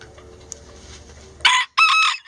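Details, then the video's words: Rare Lavender Self Blue Game Bantam rooster kept as a pet, crowing in its coop: after soft background hum, a loud raspy crow in two bursts split by a short silence, the second part held steady. "Pet Rooster Crowing"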